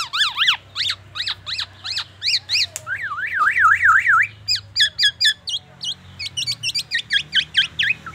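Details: Black-naped oriole copying an ambulance siren and oriental magpie-robin: repeated loud rising-falling whistles, a zigzag siren-like wail around the middle, then fast, sharp, high staccato notes.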